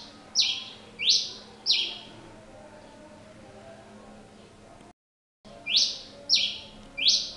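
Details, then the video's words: Pileated finch singing: three buzzy down-sweeping notes about 0.7 seconds apart, a quiet stretch and a brief total silence, then three more similar harsh notes. "Tico tico rei cinza cantando muito"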